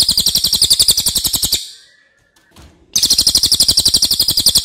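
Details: Racket-tailed Treepie singing as a master for tutoring other birds: fast, piercing rattled notes, a short pause with faint tapping, then another loud, rapid series.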